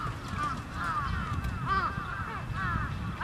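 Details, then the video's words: Trapped crows give rough, overlapping caws that rise and fall in short arcs, repeated steadily through the clip above a dull low-pitched rumble. "Crows Trapped"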